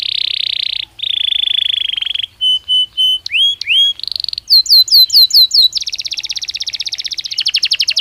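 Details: Belgian canary singing naturally: long buzzy rattles, then short pure whistled notes, upward slurs, a run of quick descending sweeps and a fast, ringing trill at the close.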